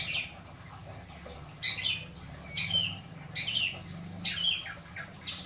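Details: Caged pet long-tailed shrike in Indramayu, singing the 'isian dor... beledos' style: harsh, scratchy bursts repeated roughly every second, each a sharp buzzy note with a lower tail.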